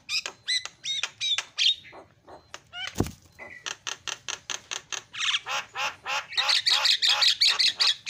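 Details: Javan myna calling to prompt other mynas: rapid harsh chattering notes, about three per second, with brief whistled bits early on and a loud click partway through.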